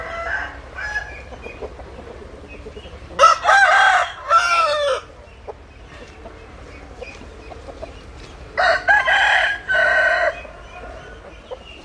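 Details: Two loud cock-a-doodle-doo crows from a domestic rooster, each about two seconds with broken syllables and a sustained final note, with faint clucking and rustle between them.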